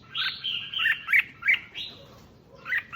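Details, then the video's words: Red-whiskered bulbul song meant to stir up other bulbuls: a short warbled phrase of slurred whistles sliding downward, then a few sharp chirps, over a faint background hiss. "Tiếng Chim Chào Mào Kích Chim Lên Lửa Nhanh"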